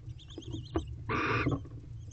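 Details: Wild barn owl pair mating and bonding in a nest box at 8:50 pm on 8 April, their fiftieth night together. A harsh, noisy screech lasts about a third of a second, with faint thin tonal notes and low rumble before it.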